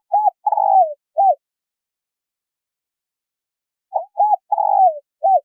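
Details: Male and female spotted doves, a recording meant to excite wild doves: two four-note cooing phrases, each a short coo, a second coo, a long trembling descending coo and a final short coo, separated by silence.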